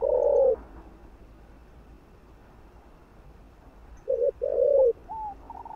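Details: Spotted dove cooing to excite and provoke other doves; a low throaty coo phrase ends the opening half second, then after a long quiet pause another phrase begins with short notes and a rolling coo, trailing into higher soft notes.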